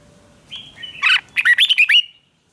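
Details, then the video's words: Red-whiskered bulbul duel song for voice training: a thin whistled lead-in, then a tumbling phrase of six quick, ringing, looping notes before silence. "Kích chào mào hót đấu"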